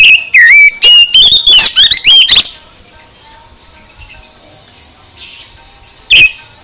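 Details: Oriental magpie-robin song played loud to rouse a sluggish bird into singing: about two and a half seconds of rapid, varied whistled phrases with sharp rising and falling sweeps, then near quiet with faint chirps, and one more loud burst near the end.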